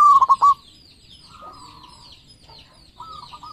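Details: Lively local zebra dove with thirteen tail feathers: a rolling pulsed coo at the start, then softer drawn-out and stuttering coos, with constant high chirping from other birds behind.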